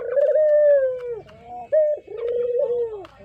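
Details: Spotted dove, valued as a lure bird, calling. Mellow, drawn-out coos slide gently downward, broken by a short clipped note, with a clear, ringing tone.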